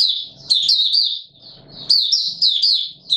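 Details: Mata Puteh Raja white-eye song recorded in warm humid weather on 20 March 2022, with quick, high, sweet chattering notes tumbling together in two clear bursts and soft low knocks in the gaps.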